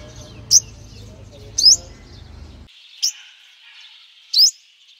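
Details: Sunbird sound for calling in wild birds: four sharp, very high, upswept chips spaced over a second apart, with a steady faint hiss behind them.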